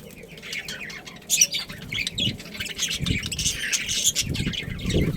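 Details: Budgerigars, a breeding pair of Australian parrots, chattering with soft, high warbling chirps and one sharper squeak, with low muffled thumps in the background.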